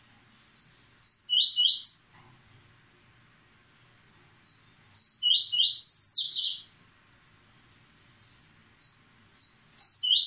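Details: {'caption': 'Paterno-style song of a moulting yellow-bellied seedeater (coleiro baiano), caged, still singing fast: short high chips followed by rapid buzzy descending trills in bursts about every four seconds, quiet room background.'}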